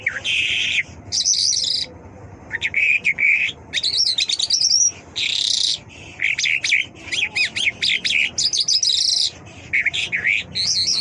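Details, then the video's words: ['Mashhadi lark singing loudly in dense bursts of buzzy trills, warbled slurs and sharp chirps, with short gaps between phrases.'] "Mashhadi lark singing مشہدی جل"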